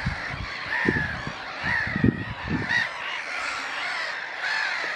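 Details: Black-headed gulls with a recently hatched chick at a sand quarry nature reserve give harsh, rising-and-falling calls about once a second, with low rumbling wind noise underneath.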